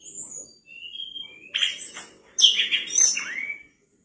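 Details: Javan mangrove whistler in energetic full song, used as a tutor recording for caged birds: high whistled notes, a level whistle, then loud buzzy, chattering bursts ending in a falling slurred whistle, with faint low background noise.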